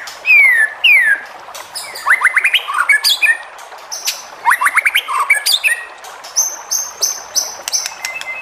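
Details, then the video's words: White-rumped shama song played to get other shamas singing: quick falling whistled sweeps, chattering rapid notes and clicks, then a series of repeated high clipped notes. "MURAI BATU JENIS APAPUN PASTI NYAUT EMOSI DAN GAK BISU LAGI DENGAN SUARA MURAI BATU INI"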